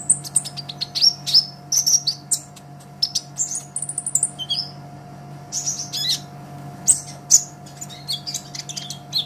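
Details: Olive-backed sunbird singing hard, a master track for songbirds: dense, jittery high chirps and brief sliding whistles packed together, pausing now and then, over a persistent low hum.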